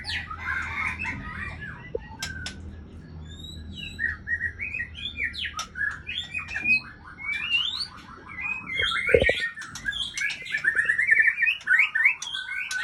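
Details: Murai Aceh, a white-rumped shama kept as a breeding female, singing a varied, busy song of whistled and chattering phrases with rapid rattling trills and sweeping notes, delivered in dense bursts over a low background hum.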